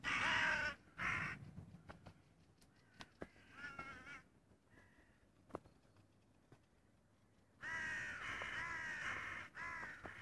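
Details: Crow, 25 June 2017: loud harsh caws at the start, a quieter stretch with clicks and faint calls, then a long rasping series of caws in the final seconds.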